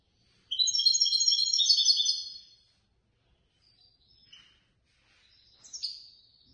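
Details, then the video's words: European goldfinch that came third in a competition organised by the Casablanca bird lovers' association. It gives a two-second burst of rapid, bright twittering, then silence broken by a few soft, scattered chips and a short, slurred call. "الحسون الفائز بالرتبة الثالثة في المسابقة التي نظمت من طرف الجمعية البيضاوية لمحبي الطيور"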